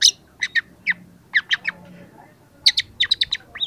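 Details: Young long-tailed shrike in full song, starting to deliver its learned repertoire, used as a lure for reluctant shrikes: short sharp chirps and quick doubled notes in scattered bursts, then a denser run of high clipped notes, with a faint low hum beneath.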